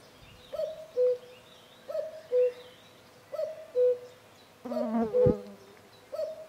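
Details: Common cuckoos, in a recording of male and female calls, give the two-note falling "cuck-oo", repeated about every one and a half seconds, with a harsher, rougher burst of sound breaking in near the end.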